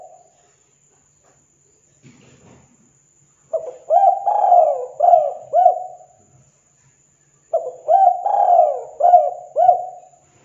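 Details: Spotted dove calling vigorously, used to provoke other doves into answering; two mellow cooing phrases of several throaty, hooked notes, separated by a few seconds of quiet, with a faint low rustle beforehand.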